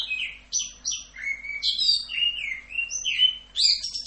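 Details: Orange-headed thrush song in the full "Rock'n Roll" tutor style: varied, rich whistled phrases, some sliding down and some rising, with sharp high notes at the start and end and short pauses between phrases.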